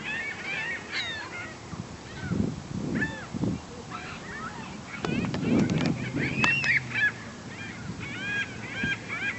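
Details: Flock of herring gulls numbering in the hundreds at a local neighborhood lake; constant overlapping laughing, yelping calls with arched harmonic notes, plus intermittent low thumps and bursts of deeper noise, possibly nearby handling or wind.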